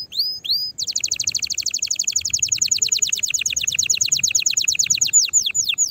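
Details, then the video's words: Excited canary song for mating and stirring others to sing; two rising whistles lead into a long rapid rattle of sweeping notes, about three per second, ending in a few falling notes. "تغريد طائر الكناري هائج نار , لتحفيز على الغناء"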